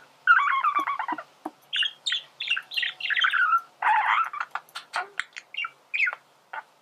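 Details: Male budgerigar singing as a teaching recording for birds: a fast rattling chatter, then separate squeaky notes and harsh bursts, ending in a series of sharp clicks spaced about a quarter second apart.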